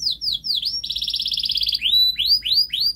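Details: Canary song meant to prompt young canaries to sing: descending whistled notes lead into a long, even rattling trill, followed by upward-curving whistled sweeps repeated about four times a second.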